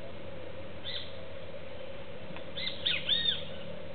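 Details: Young cowbird visiting a feeder alongside doves, taking seeds: a faint chirp early, then a quick cluster of three or four arched, slurred high notes near the end, over constant electrical hum.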